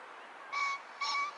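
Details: Green pheasant calling in spring: two loud, short, harsh notes about half a second apart, each a steady tone with rough overtones, over faint background hiss.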